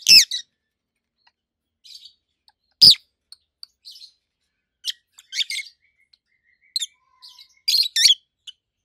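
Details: Peach-faced lovebirds, a red-headed green opaline and a white-headed pallid aqua opaline, give loud piercing single chirps and short double notes spaced by pauses, with softer twitters between.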